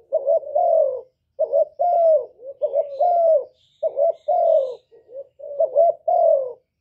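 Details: Spotted dove, filmed without background noise as a singing lure, delivering steady low cooing: rhythmic series of short bubbling notes and longer sliding coos, nearly continuous over several seconds.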